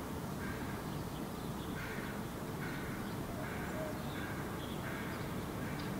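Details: A hooded crow fledgling on the ground in Helsinki, Finland, July 2017, calling at its parent, gives harsh, drawn-out caws about once a second over a steady low rumble of wind or traffic.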